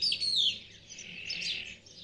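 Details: A male Spotless Starling on a TV antenna, courting to attract a female during spring lockdown, gives a loud, falling whistle followed by scratchy, buzzy chatter, high-pitched and continuous.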